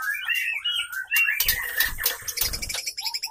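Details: White-rumped shama female voice used to excite males before contests; warbled whistles in the first second, then chatter masked by rustling and bumping.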